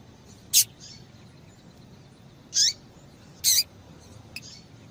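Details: Female double-collared seedeater calling a lot to excite males: short, sharp high chirps, three loud ones and a fainter fourth, spaced irregularly about a second apart over a quiet hiss.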